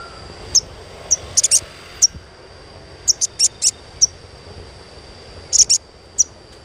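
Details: Therapy chirping of a sogon for young birds: isolated needle-thin chirps and quick doubled bursts at irregular intervals, with a continuous high-pitched hum behind them.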